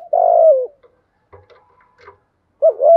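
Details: Rich, throaty spotted dove coo, calling to provoke fights and train decoy birds: one long rolling note sliding down, a few faint scattered sounds, then the start of the next warbled coo.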